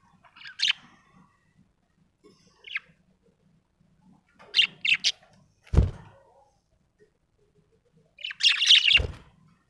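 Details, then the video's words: Happy budgerigar chirping: short bright warbled chirps in scattered bursts, a tight double chirp near the middle and a longer twittering burst toward the end, with a couple of dull thumps between them. "happy budgie chirping sound"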